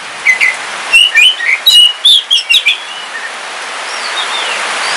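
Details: Captive Bornean black oriental magpie-robin kept at home, singing on a rainy day in Kalimantan: a run of sharp whistled and chirped notes around mid pitch, several quick bursts in the first three seconds, over a steady hiss of rain.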